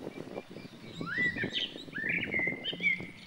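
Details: White-breasted waterhen, a mother accompanied by two chicks: a clear whistled note sweeping upward, followed by a second rising whistle that levels into a drawn-out tone, with faint low rumbling noise beneath.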